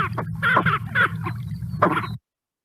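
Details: Lesser scaup (Aythya affinis), a winter bird presented as a reference call, gives low, hoarse, grating croaks in a short series of about six notes over two seconds, over a steady low hum.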